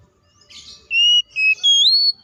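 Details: Oriental magpie-robin (kacer) fighting song, used to make rival birds quickly agitated: a faint rasp followed by three clear held whistles, the last rising and drawn out.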